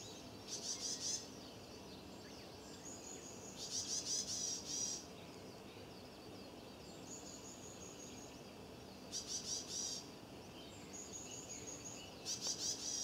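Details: Varied tit carrying a beakful of nesting material, calling continuously in alarm near a probable nest in a stone lantern: short bursts of high, harsh, buzzy rasping notes every few seconds, with thin whistles between.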